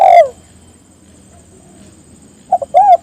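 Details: Spotted dove calling to prompt others to call. The tail of one falling coo opens, then a quiet pause, then a fresh phrase of two short notes and a rounded coo.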